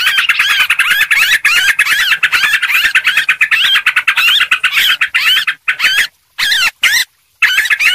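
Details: Sooty-headed bulbuls in a lure recording of busy, noisy calling: dense, harsh chattering phrases with wavering, looping notes, almost continuous, broken by short silences near the end.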